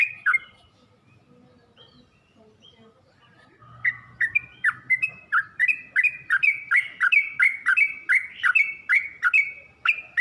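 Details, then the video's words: Yellow-vented bulbul lure song for teaching birds to sing: one chirp, then a quiet stretch of a few seconds, followed by steadily repeated bright slurred chirps that quicken and grow louder. "Suara pancingan dan masteran burung trucuk untuk trucuk belajar bunyi dan macet bunyi"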